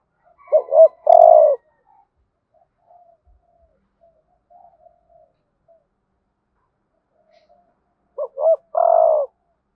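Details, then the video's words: Spotted dove lure bird calling to attract wild doves. Two complete cooing phrases, each of paired bouncing coos ending in a long broad coo, separated by about seven seconds of near silence with faint soft murmurs. "Tiếng cu gáy mồi ĐỦ BÀI GỌI THÚC GÙ Giọng HẠP BỔI kích bổi nhanh nổi"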